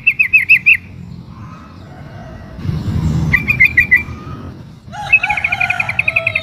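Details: ['Female sooty-headed bulbul in breeding condition calling the male: rapid pulsed chirp series, a noisy rustling interlude, then more chirps and a dense chattering run joined by other bird sounds.']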